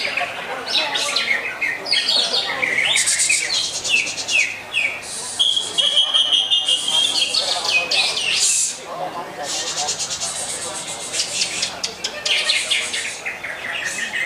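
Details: Lively greater green leafbird song, a dense stream of quick chirps, slurred downward sweeps and short trills, with a clear held whistle partway through and occasional buzzy flourishes; background chatter faintly present.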